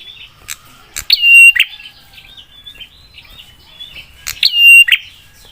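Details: Prinia's 'spicy' song meant to make nearby prinias respond quickly: two strong click-whistle-click phrases about three seconds apart, with a scatter of soft high chips in between.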